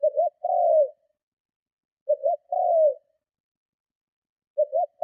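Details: Spotted dove cooing forcefully to lure and provoke other doves, a steady run of coos at about thirty per minute, each two quick notes then a falling drawn-out coo; last phrase cut off.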